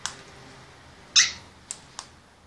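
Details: Senegal parrot giving one short, harsh, broadband squawk, with a couple of faint clicks after it in a quiet indoor setting.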